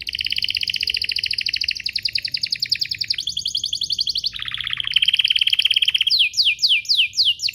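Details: Canary singing to prompt other canaries to sing: long continuous buzzy rolled trills shifting pitch, ending with rapid downward-sweeping notes repeated several times per second.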